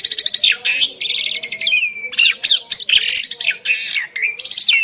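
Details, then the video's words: Duet of two Asian pied starlings: loud raspy, squawking phrases and clipped whistles packed closely together, with brief gaps between bursts. "Jalak Suren Istimewa | Duet 2 Burung Juara"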